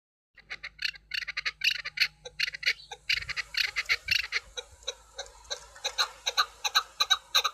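Chukar partridge giving a rapid run of harsh, clucking chuck notes, about three a second, swelling into a steady rhythmic chatter; a faint low hum underneath.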